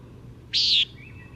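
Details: Single Common Nighthawk jer call from playback, one short harsh buzzy nasal note with a slightly falling end, then a faint thin tone in quiet surroundings.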